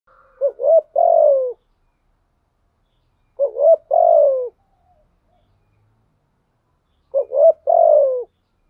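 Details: Spotted dove used as a decoy, singing in the 'giọng thổ' style. Three clear cooing phrases come about every three seconds. Each has two short rising notes and then a long, deep, falling coo, with silence in between.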